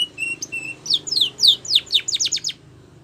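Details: Spanish Timbrado canary singing, song used for training canaries: a few steady whistled notes, then a fast run of high descending slurred notes, about four per second, ending abruptly.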